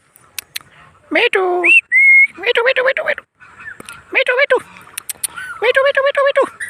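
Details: A pet Indian ringneck (rose-ringed parakeet, Psittacula krameri) chatters mimicked speech in a nasal, raspy voice, repeating "me too" and "mommy" in quick bursts, with one clear whistled note between them.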